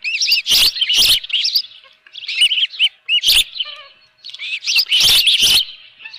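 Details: A nesting osprey with a live fish, 24 June 2018, 7:32 AM, gives bursts of shrill, overlapping chirps separated by brief quiet gaps, with occasional loud knocks.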